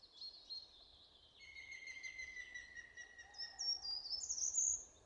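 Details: Short-toed Treecreeper recorded in April 2018 at Zabrzeg, Poland, giving thin, very high notes that slide and flick upward, with a Grey-headed Woodpecker's steadier lower whistle calling in the background over faint hiss.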